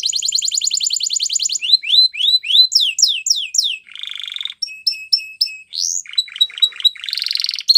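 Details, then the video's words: Belgian canary song: a rapid trill of fine repeated notes, then a series of rising swept whistles, a short buzzy burst, clipped high chips and a final rolling buzzy phrase, all high-pitched and loud with no other sounds. "Belgian Canary Song"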